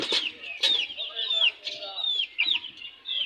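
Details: Fresh chicken chicks fighting, producing loud, shrill peeps, each a high whistled note sliding downward, repeated about every half second, with faint rustling underneath.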